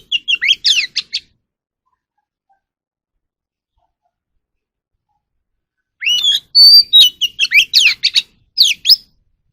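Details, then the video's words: Oriental magpie-robin song meant to coach captive birds: a one-second flurry of quick chirps, about five seconds of silence, then a longer energetic phrase of rapid varied whistles, trills and sharp clicks. "kacer alam | choè than luyện giọng || Choè than kích bổi ra giọng เสียงนกกางเขนบ้าน"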